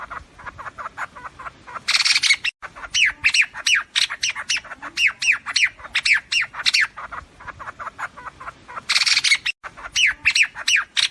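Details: White-throated fantail calls for gathering a flock, as used by trappers: long run of sharp chattering downslurred notes, several per second, broken by two brief harsh rasping bursts.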